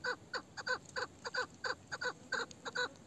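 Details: Old meri, a female chukar partridge with a male-sounding voice, repeats clear, harsh chuk notes at an uneven, lively pace, some notes doubled.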